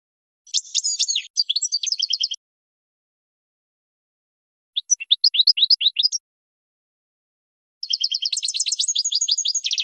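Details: European goldfinch training song: three separate twittering phrases divided by silences, with rapid repeated chip notes, rising tinkling elements and a final long run of fast trilled notes, clean with no background noise.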